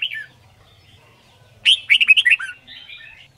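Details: Red-whiskered bulbul, a white-cheeked type, in training for competition singing: a brief opening whistle, a pause, then a loud rapid series of bright bouncing whistled notes fading into soft warbles.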